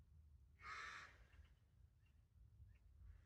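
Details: Carrion crow giving a single harsh, broadband caw of about half a second, followed by a few faint, distant chirps over a low background rumble.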